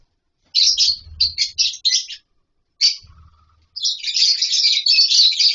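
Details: Lovebirds kept in a colony setup with nest boxes and mud bowls, chattering in shrill, high, scratchy bursts, then a pause, then a dense continuous twitter, with soft low thumps beneath.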